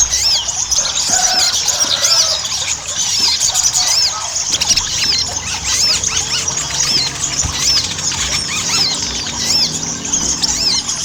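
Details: Ruby-cheeked sunbird lure song for stimulating birds to sing: a long, dense flow of high squeaky loops and rapid chips, steady and busy from start to finish, with faint low rumbling.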